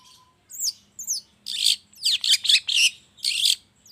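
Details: Lure recording of long-tailed shrike in the morning to stir other shrikes into song: two thin upslurred whistles, then loud grating bursts in a quick jumbled series.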